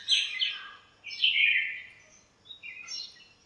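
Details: Birds chirping to one another in a home backyard lemon tree at morning: a few slurred, high chirped phrases, some descending, over a faint background hiss.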